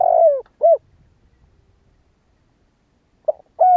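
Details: Spotted dove, 'kích bổi' call style from Vietnam: the tail of one phrase with a long falling coo and a short note, a gap of near silence, then the start of the next mellow phrase.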